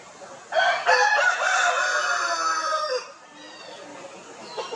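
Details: A rooster crowing on a poultry farm in India among Italian and desi chickens establishing territories: one loud, rich, harmonic crow held for about two and a half seconds, then a quieter background of clucking.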